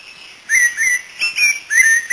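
Cocoa thrush singing short, slurred whistled notes, several rising or falling, given about twice a second. Thin, steady high-pitched tones, likely insects, run behind.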